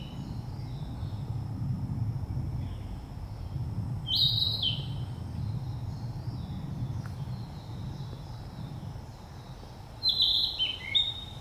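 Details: Narcissus flycatcher singing: two short bright whistled phrases, one near the middle and one near the end, each sliding downward, over a steady low background rumble.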